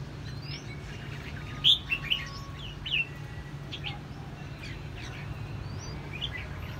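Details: Red-whiskered bulbul, caged for six months, Quảng Nam, Vietnam: a few loud sharp chirps close together, then softer scattered whistled notes and faint chatter, over a constant low hum.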